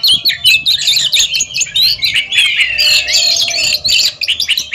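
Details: Intense Oriental magpie-robin song from a competition duel: very high, scratchy warbles and sharp whistles burst out in quick, uneven volleys.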